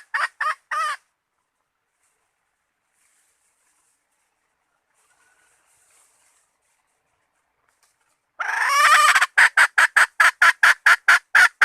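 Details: Hen call used as a lure for bait: a quick trio of rasping clucks, a long silence, then a loud grating squawk breaking into a fast, even series of harsh clucks, roughly two per second.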